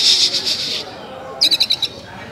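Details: Oriental magpie-robin (kacer) singing its basic song in the LDA (Langit Di Atas Awan) style: a buzzy pulsed burst, a pause, then a quick series of five sharp raspy notes, with murmuring voices in the background.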